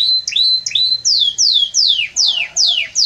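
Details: Strong, warm song of a Belgian canary: two short high whistles, then a series of loud downward-sweeping notes, roughly three per second, each clearly separated.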